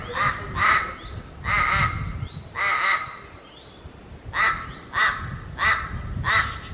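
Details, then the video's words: Crows in Raja Ampat, Papua, giving harsh, nasal, rasping caws in irregular bursts, about eight calls in seven seconds, with quieter pauses between. "Burung Gagak Papua di Raja Ampat"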